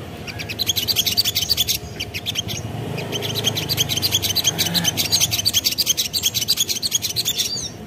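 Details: Spiderhunter lure recording meant to make other spiderhunters answer: a fast, high, rapid run of sharp chipping notes, about three a second, pausing briefly near two seconds, over a low background hum.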